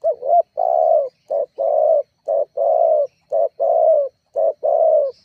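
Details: Spotted dove calling energetically as a lure meant to provoke rivals: low, mellow coos in pairs, a short note then a longer drawn-out coo, repeated about once a second in a steady run, with no other sounds.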